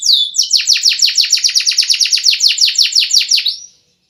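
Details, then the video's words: Canary singing one sustained rolling tour of loud downslurred notes, about six per second, stopping abruptly and followed by silence. "Masteran burung kenari suara mewah"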